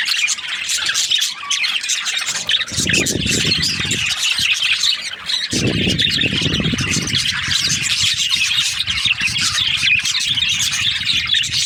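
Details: Parakeets in breeding season: constant shrill chirping and warbling from many budgies, with low rumbling noise underneath in two stretches, around three to four seconds and five and a half to seven seconds.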